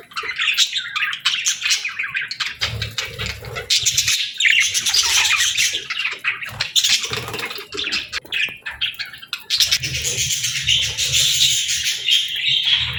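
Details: Budgerigars singing and chirping: a dense, scratchy warble of rapid chirps and squawks that rises and falls in bursts, with louder stretches near the start and again after ten seconds.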